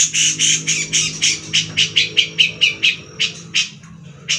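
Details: Besetan from a grey-cheeked bulbul, recorded as tutor sound for fighter songbirds such as white-rumped shama, magpie-robin and leafbird: loud grating bursts that start in a dense run, then space out and fade, with a steady low hum beneath.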